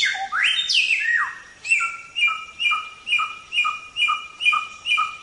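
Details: Samyong in a songbird training recording: it opens with sweeping, sliding whistles, then settles into a steady run of short two-tone whistled notes, about two per second, each with a brief lower tail.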